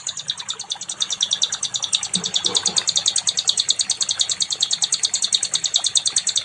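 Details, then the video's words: Nightingale song recorded as a training track for other songbirds: a fast, steady run of bright, high, rattling notes, about three per second, repeated without a break, with faint background noise beneath. "SIKATAN LONDO🏆🔥 NIGHTINGALE"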